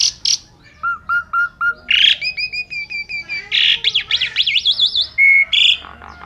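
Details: Asian pied starling singing vigorously in full filler style, meant to lure other birds into song. Sharp bursts, then four level whistles, sustained paired tones and a fast wavering warble, then a steady whistle and harsh notes.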